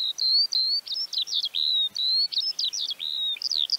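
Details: Song of the Eurasian Skylark recorded in Central Russia, a fast high warbling ramble of clipped chirps, upward slurs and fluttering notes strung together almost continuously over a quiet background.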